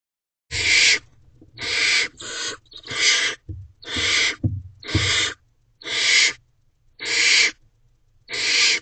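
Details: Barn owls in a nest box at 10:51 pm on 2 May 2023, as a parent drops off food for the owlets. Harsh, broad hissing screeches, about nine bursts of half a second each, repeated almost every second, with faint low rumbling between.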